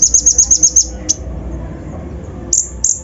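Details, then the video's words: Konin or brown-throated sunbird lure song, full rough 'isian' style used to raise other birds' excitement: a fast row of six sharp, very high piercing notes, one isolated chip, then two longer high notes after a pause. "PANCINGAN KONIN BAHAN FULL ISIAN KASAR COCOK UNTUK MENAIKAN EMOSI BURUNG BAHAN"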